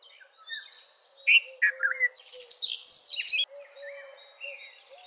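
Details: Red-vented bulbul (Pycnonotus cafer) giving a burst of cheerful, liquid chirps and short warbled phrases, with other small birds twittering faintly around it.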